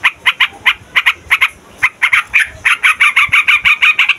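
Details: Yellow-vented bulbul (trucukan) in noisy, long rolling song used as a lure for trapping wild birds: bright chirping notes repeated about three per second, spaced unevenly at first, then merging into a faster, steady chatter.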